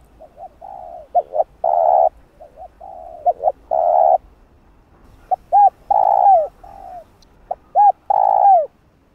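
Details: Lure calls of a spotted dove for bird trapping: a run of repeated phrases, soft low coos and quick double notes leading into long full coos, several arched hooting notes later, quiet backdrop.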